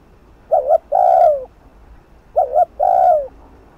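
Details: Fast-paced spotted dove coo for luring a rival: two phrases, each a short broken double note followed by a longer falling coo, low-pitched and clean with little background.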